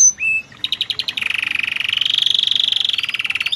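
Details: Loper-type canary singing cengkok-rich song: a short whistle and high glide, then a string of clicks that runs into a fast, even, buzzing trill held for over two seconds.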